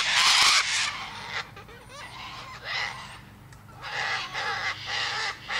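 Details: A loud, harsh cockatoo screech opens, followed by quieter chattering notes, then more rasping screeches near the end.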